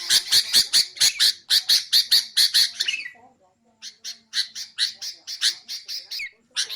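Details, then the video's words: Sooty-headed bulbul used to lure wild bulbuls and train cage birds: a steady series of harsh, scratchy notes, a second of quiet, then another run ending in a short slurred whistle. "BURUNG KUTILANG untuk ocehan mantab"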